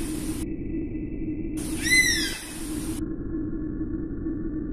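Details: One high whistled call from an Oriental honey buzzard, arching briefly up and then sliding down, surrounded by quiet stretches and a steady low-pitched drone.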